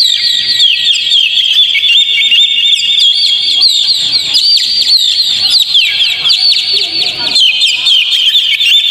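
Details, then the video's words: Oriental magpie-robin singing, a track meant to goad a caged kacer into song: dense high-pitched warbling with rapid slurred whistles, down-sweeping notes and chattering trills, continuous and loud throughout. "PANCING KACER PLAY ON"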